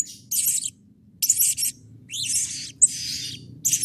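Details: Blue-crowned hanging parrot in agitated calling used to goad other birds into calling: rapid harsh buzzy bursts, one with a rising sweep, nearly one per second over a low murmur.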